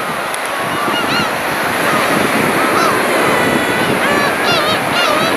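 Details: Large flock of black-tailed gulls, approached at close range, giving their cat-like mewing calls. Many drawn-out, arched calls overlap continuously against a steady roar of wind and surf.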